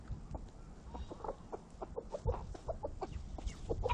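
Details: A rooster on a small farm with hens, ducks and geese gives short, harsh, repeated clucking calls, several per second, over low rumbling background noise.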